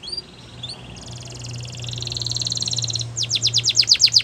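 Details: Young canaries being trained to sing hear canary song: a few short whistles, a soft buzzy trill over a low hum, then loud downslurred notes repeated quickly.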